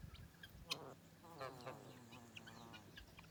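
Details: A sleeping gosling, free-range, Australia, gives soft, low, wavering trilled murmurs with one brief sharp peep near the start, all quiet over a faint steady background hum.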